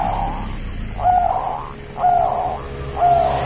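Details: Local wild zebra dove from Java, Indonesia: three clear, short rising coo notes, one each second, over low background rumble.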